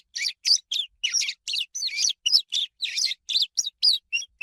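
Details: Swallow chirping: a quick, lively string of short, bright twittering chirps, about a dozen bursts in four and a half seconds, irregularly spaced with brief silences between, with no background noise.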